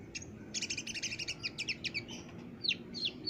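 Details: Master recording of a persistently singing olive-backed sunbird for training caged birds: a fast even trill of about a dozen sharp high notes, followed by two slurred squeaky chirps over a low steady hum.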